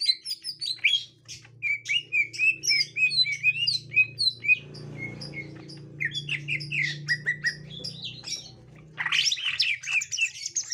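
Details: Green leafbird, a young wild bird found and meeting a captive bird: busy run of short chirping and squawky notes, many per second, with a brief pause midway and a dense high burst near the end; low hum underneath.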